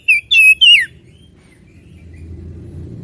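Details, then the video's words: Oriental magpie-robin singing energetically: three loud, clear whistled notes in quick succession, the last slurring downward, all within the first second, then only a faint low rumble of background noise. "Burung Kacer Gacor Video Asli Suara Asli"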